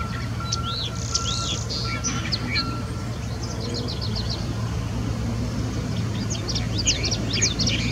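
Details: California thrasher at Irvine Regional Park, 20 May 2020, delivering a varied string of looping whistles, quick chirps and rapid repeated notes over constant traffic rumble and a faint electronic tone.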